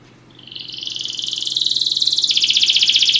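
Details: Belgian canary in song training: a high trill swells from soft to loud, shifts smoothly upward, then steps down into a fast pulsing rattle repeated about four times a second.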